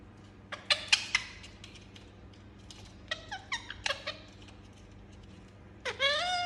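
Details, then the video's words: Pet Indian ringneck parakeet uttering sharp squeaks and short descending chirps in scattered bursts, closing with a loud harsh rising screech; faint steady hum in the background. "Talking Parrot Making Sound"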